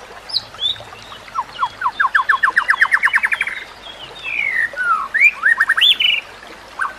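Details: White-rumped shama singing for training other shamas: a rapid run of rising whistled notes climbing in pitch, then swooping slurs and sharp upswept calls.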